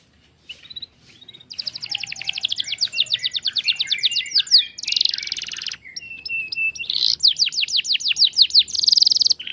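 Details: Canary song used to prompt silent canaries to sing: rapid rolling trills of high down-slurred notes, a dense buzzy burst, then more quick trills and a harsh buzzy phrase at the end.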